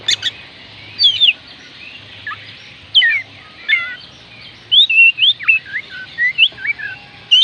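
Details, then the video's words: Oriental magpie-robin singing, used to stir lazy birds into song: a rich run of clear whistled phrases, twisting upslurs and downslurs and quick notes crowded together, over a faint low drone. "oriental magpie robin kicauan Kacer panggilan Kacer malas bunyi"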